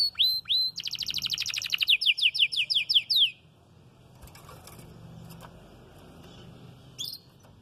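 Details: Red frosted canary, beginning to moult and not doubling its song: two quick whistled slurs, a fast buzzy trill, then a series of loud down-slurred notes about four per second, followed by near silence and one faint chirp.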